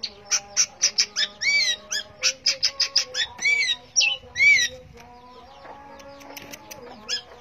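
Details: Long-tailed shrike in full voice: a rapid series of harsh, clipped high notes broken by looping arched whistles, then after about five seconds only scattered faint ticks over a low hum.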